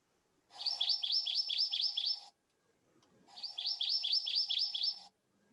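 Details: Hawaiʻi ʻamakihi (Chlorodrepanis virens) gives two fast, high trills, each about two seconds long, built from rapid, repeated check-mark-shaped notes going down and up, separated by a short pause.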